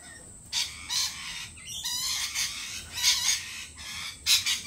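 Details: Harsh, raspy screeches from lorikeets at a lorikeet cafe come in several bursts, roughly one a second, some overlapping, with a constant high electronic whine behind.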